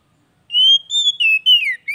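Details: Oriental magpie-robin song, played to coax a bird that has stopped singing back into song: clear whistled notes sliding up and down, given in four quick phrases with no other sounds.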